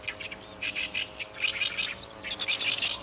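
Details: Chestnut-eared bunting singing in summer breeding habitat at Kabukuri-numa, a Ramsar wetland, and its surrounding rice fields: a quick jumble of bright, chirping notes in short bursts, with a faint low hum behind.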